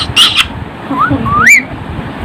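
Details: Hand-raised rose-ringed parakeet kept by a village farming family, said to talk like humans. It gives a harsh squawk, then two rising, whistled, voice-like slurs, with background room noise.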